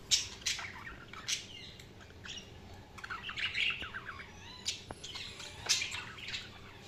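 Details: Pet budgerigars chirping, with short scratchy squawks and quick warbled notes in irregular bursts over a low background hum.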